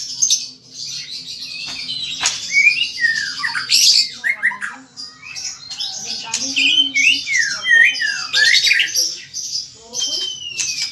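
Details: White-rumped shama in full song, kept as a cage bird: a rich run of whistles, downward slurs, rasping squawks and rapid chips. Notes fall over each other with little pause, and a faint voice sounds in the background.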